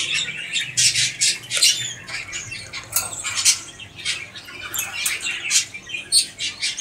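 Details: A white king quail gives thin, high, scratchy chirps and squeaks in quick irregular bursts, with a quiet indoor background.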